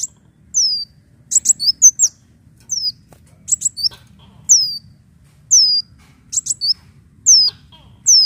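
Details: Lure recording of a leafbird: clear, high, falling whistled notes and short rapid chip groups, separated by brief pauses, with faint background hum.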